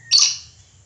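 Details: A single loud, rasping screech from a red lory, very short and harsh, fading quickly into quiet with a low hum underneath.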